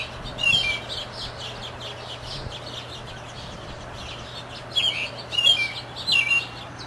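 American robin giving a few short, clear whistled phrases, one near the start and a cluster toward the end, over a steady low mechanical hum.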